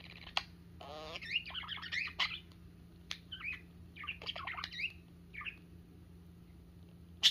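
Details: A parakeet playing with its owner's fingers, a sign of trust, chatters in quick bursts of scratchy, warbled chirps and squawks, with short pauses, over a steady low hum.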